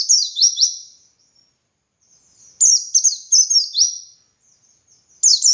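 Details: Dakun white-eye giving ngalas song used to tutor other white-eyes. A short twittering phrase, soft thin notes, then a longer run of rapid descending chips, and the start of another burst.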